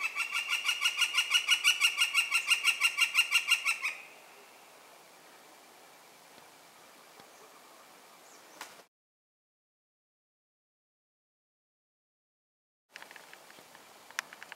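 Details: Northern Flicker, hidden on an old tree where it drummed and called, gives a loud, ringing series of even notes, about five a second for four seconds, then stops; faint rustles follow after a quiet break, and it flies away.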